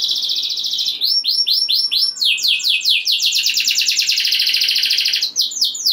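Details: Canary in full rolling song used to excite other canaries: a run of rapid high trills breaks into a series of swooping downslurred notes, then settles into a long, fast, chattering roll.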